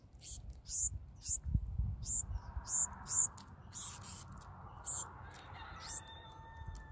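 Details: Fed by adults, a young Black-throated sparrow begs with rapid, high-pitched hissing peeps, dense at first and then spacing out, while a thin steady tone enters near the end above soft low rumble.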